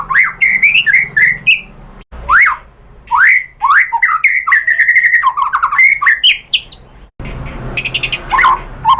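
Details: White-rumped shama lure song to provoke a reply, rich and varied: sharp rising whistles, rapid slurred notes and warbled runs in bursts separated by short pauses, with a harsher high chatter near the end.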